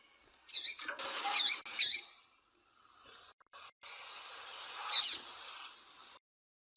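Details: Calls of a female double-collared seedeater meant to excite males for singing contests: a quick run of three high buzzy chips, a hissy lull, then another lone chip and one at the very end.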